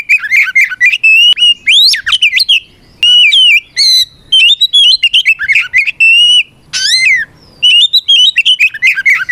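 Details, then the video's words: Oriental magpie-robin delivering a fighting song to provoke opponents: rapid varied whistles, fluttering warbles, steep upward sweeps and a harsh rasping burst, loud and nearly unbroken. "Suara Burung kacer gacor NGEPLONG tarung ini paling ampuh buat PANCINGAN KACER agar EMOSI Nyaut"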